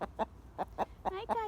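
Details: A pet Buff Orpington hen gives alarm calls after seeing something scary: about four quick clucking pulses, then two longer drawn-out squawks, within a second and a half. The flock had alarmed earlier and a dog chased something away.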